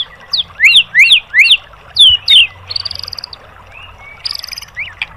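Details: White-rumped shama training song for caged birds, tembakan material: three loud rising slurred whistles, two falling ones, then short fluttering high trills and scattered chips.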